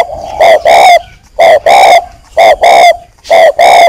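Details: Caged breeding male spotted dove used as a decoy, northern Vietnam, prompted to coo: four pairs of full, ringing coos, each pair a short note then a longer one, repeated roughly every second.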